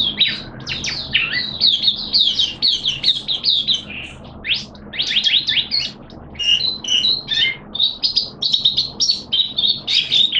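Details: Caged oriental white-eye singing during the second day of monthly deworm treatment: fast, high-pitched warbled twitters and slurred chirps in rapid bursts, loud and close, with little background noise.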